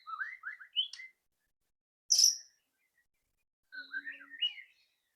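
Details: White-rumped shama song of the loud ketrekan kind, meant to spur another bird to sing: three separate short bursts of rising whistled slurs and one high, harsh note, with silences between them.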